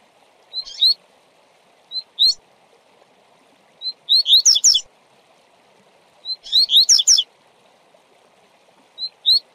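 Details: Double-collared seedeater singing the fast tui-tui style used to train tournament birds. Brief two-note chirps alternate with longer bursts of four to five rapid, bright whistled notes roughly every two seconds. A low steady hum sits beneath.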